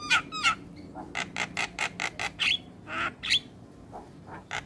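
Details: Javan myna training song, filled with varied phrases: a steady run of harsh, scratchy chack notes at a quick even pace, mixed with a few higher squeaky whistles.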